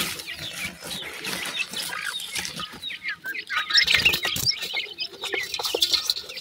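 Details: Baby pheasants eating new food, several chicks giving thin, high peeping calls that fall in pitch, overlapping and closely spaced, with scuffing and rustling noises throughout.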